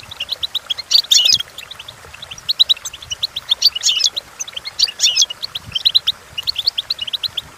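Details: Goldfinch song meant for teaching goldfinches: rhythmic runs of tinkling chirps broken by louder, buzzy jangling phrases that recur every couple of seconds.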